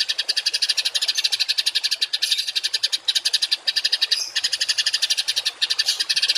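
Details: Rough songbird shots, 'tembakan kasar', played as training material so cage and contest birds learn harsh variations; rapid rasping pulse trains with a few short pauses between runs.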